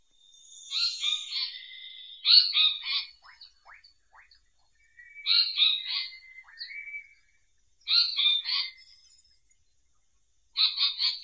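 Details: Indian paradise flycatcher, also called Asiatic paradise flycatcher, singing: clusters of harsh, buzzy chattering notes in short bursts separated by pauses, with faint thin whistles in the gaps.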